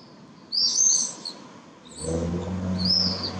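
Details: Common swifts with pallid swifts calling: two shrill, high screaming calls, the first long and loud, the second shorter near the end; a low engine-like rumble starts midway.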